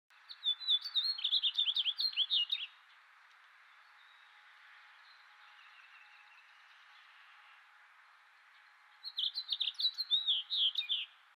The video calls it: House Finch Singing